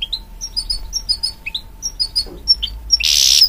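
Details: Goldfinch-canary hybrid, a mule, singing scattered high chirps and short whistled slurs, closing with a loud harsh buzzing burst.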